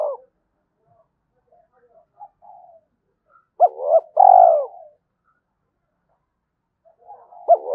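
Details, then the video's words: Spotted dove cooing to provoke a fight and lure wild doves to a decoy: short arched coo notes followed by a longer purring, falling coo, with long quiet gaps between phrases. "tiếng cu gáy thúc Đấu và gáy gọi bổi rừng nghe rất nhanh về cội"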